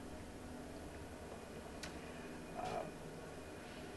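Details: Quiet indoor room tone with a couple of faint clicks and a brief thump, no animal voice.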